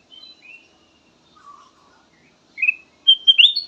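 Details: Kutilang emas bulbul with a sweet lure song: soft thin whistles and a low warble, then loud quick slurred whistled notes closing the phrase.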